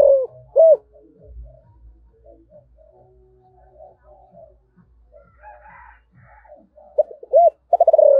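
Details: Spotted dove giving the calling coo in the 'giọng thổ' voice style: short arched coo notes open and close the stretch, separated by a long, nearly quiet gap with faint low murmurs.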